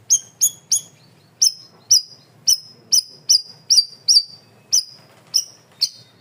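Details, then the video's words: Cream-vented bulbul in lively, loud voice: a dense run of about fifteen bright, high, falling chirps, some paired, delivered in rapid succession. "MASTERAN BURUNG CUCAK RAWIS/BAYEMAN GACOR SUARA KERAS DAN JERNIH"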